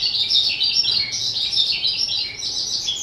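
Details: Captive skylark aged two, 18 April 2023, singing a busy, breathless high warble of overlapping chirps and trills, steady in loudness from start to finish.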